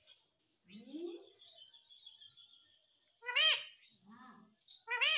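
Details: Captive Indian rose-ringed parakeet calling: loud harsh screeches near 3.4 and 5.1 seconds, a lower rising voice-like sound around one second, and constant soft high ticking in the background.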